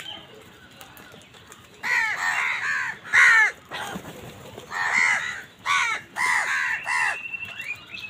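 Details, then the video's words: Crows, amid fights with wild birds over food, give harsh, nasal caws in bursts of three or four, each call arching down in pitch, with brief pauses between bursts and a quiet background. "Crow bird crowing sound কাকের ডাক"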